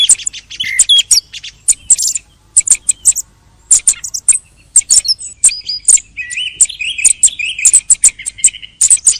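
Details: Thrush song at the end of the hunting season, with crisp high clicks repeated in uneven bursts followed by a longer phrase of buzzy, wavering whistles.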